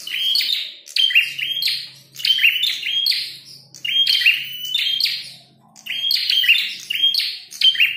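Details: Prinia, a red-headed prenjak, in a fight and calling loudly. Dense runs of sharp chirps and buzzy trills come in clusters roughly a second long, with short gaps, over a faint low hum.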